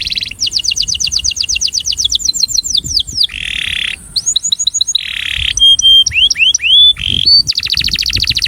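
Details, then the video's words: Breeding male canary giving its attraction song: rapid rising and falling whistled trills alternate with buzzy, harsh rolls and separate clear upswept notes, the phrases changing every second or two in a varied, loud sequence. "Canário Reprodutor - Som de Atração"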